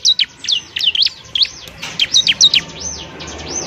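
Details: Bar-winged prinia song used as training material for other songbirds: rapid high chirps and sharp down-slurred and up-swept notes in quick bursts, several per second, with short pauses between groups.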